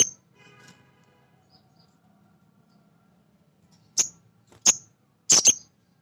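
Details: Male sogon, a nectar-eater, calling as a lure for other birds: an opening high chip, a faint low chatter, then a quickening series of sharp high chips, the last ones doubled.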